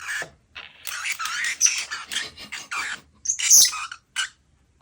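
A parrotlet gives a rapid run of harsh, raspy chatter in bursts, like cackling laughter, with a few sharp squeaks near the end.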